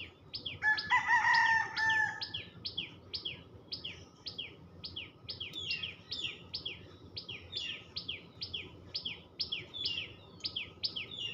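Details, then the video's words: Tailorbird chatter: rapid, high, falling chirps repeated steadily. A rooster crows loudly near the start, and a low background hum runs throughout. "টুনটু‌নি পা‌খির ডাক l Tuntuni birds chirping sound l Tailor bird chatter l টু‌নি পা‌খির ডাক"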